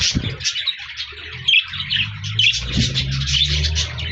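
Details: Parakeets (budgies) singing and chirping, recorded 14 January 2024: continuous high chattering with short squeaky whistles scattered through, over a low hum and occasional knocks.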